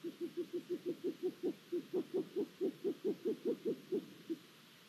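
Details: At a Hungarian long-eared owl nest in April 2022, during food deliveries around a newly hatched chick, a steady run of about twenty short, low, hollow notes repeats quickly, roughly four a second, over quiet background hiss.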